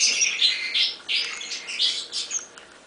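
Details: European serin song in short bursts: high, buzzy, sizzling phrases of quick notes separated by brief pauses, fairly soft, with no other clear sounds.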